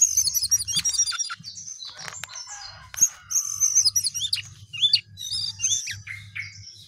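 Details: A sooty-headed bulbul pours out a long, rapid, jumbled twittering song of high, squeaky and trilled notes in dense bursts with brief pauses, a soft low hum beneath.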